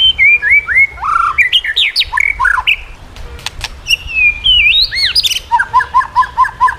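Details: White-rumped shama song meant as a model for training shamas. Varied swooping whistles and squeaky phrases, then a short series of repeated doubled notes at the end.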